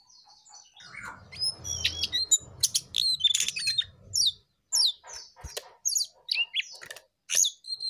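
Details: Jongkangan in lively song, fast high chips, squeaks and rising whistles tumbling out in short bursts separated by brief pauses, with some rustling noise early on.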